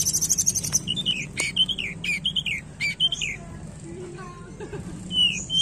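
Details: Tledekan lure song for a bird slow to sing: a fast high trill followed by repeated downslurred whistled notes and scattered chirps, over a steady low hum.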